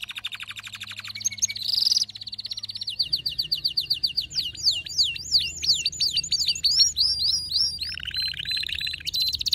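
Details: Excited male canary in full song: fast, bright trills of repeated sweeping syllables, shifting from steady rattles to looping up-and-down notes, then a lower rolling trill near the end, over a faint low hum.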